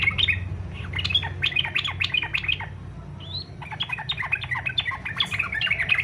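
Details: Yellow-vented bulbul in fighter style, a song used to prompt other bulbuls to sing: continuous quick, bubbly chattering notes with one rising slurred note in a short lull, then more rapid chatter over low hum.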